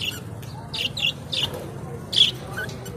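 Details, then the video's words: Blue, green and yellow budgerigars give quick scratchy chirps and squawks, a cluster of four short notes followed by one louder sharp chirp, over faint room noise. "Australia Buggies parrot beautiful moment and sounds"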